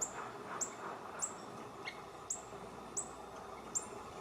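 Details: Little Woodpecker (Veniliornis passerinus taenionotus), a female, recorded 7 Jan 2026 in Teresina, MA, Brazil, giving six thin, very high sharp notes spaced about every half to three-quarter second, with a soft murmuring background.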